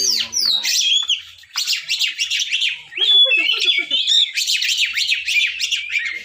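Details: Oriental magpie-robin song, a rich, varied run of loud whistles, harsh chattering notes and quick slurred phrases that rise and fall and repeat with little pause.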